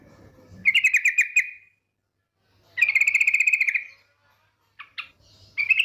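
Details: Yellow-vented bulbul female lure call: quick series of buzzy, pulsed notes about a second long, repeated after pauses, followed by brief sharp chips and another burst; faint low hum in the background.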